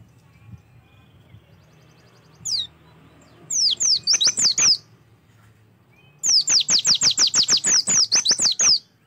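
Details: Song of the Oriental white-eye, played to coax a bird into singing: a lone high note, a quick run of falling slurred whistles, a brief gap, then a sustained rapid string of high descending chirps.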